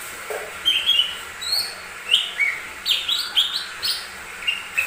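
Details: Lure song of a lesser green leafbird, played to prompt other birds to sing: a lively run of clear whistled phrases, rising and falling slurs repeated roughly every half second, with one low note near the start.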